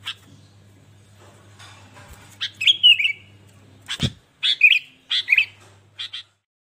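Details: Lively sooty-headed bulbul, recorded to make other bulbuls start singing: a sequence of quick warbled whistled phrases and chirps after a dull thump, with a faint low hum underneath.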